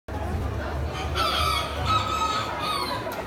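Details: A bantam (miniature) rooster at a poultry expo on 20 October 2019 gives one drawn-out, wavering crow lasting about two seconds over a steady low rumble of crowd noise.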